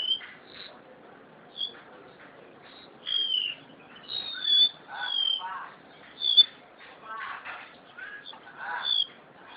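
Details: Caged crested honeyeater from Java in full song: bright, high whistled slurs repeated in loose sequence, interspersed with lower chattering, buzzy notes and occasional clicks.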